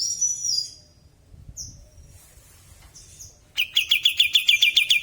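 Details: Bulbul singing busily in natural sound: scattered high, thin whistled slides come first, then a rapid, regular series of loud, sharp chirps closes the recording.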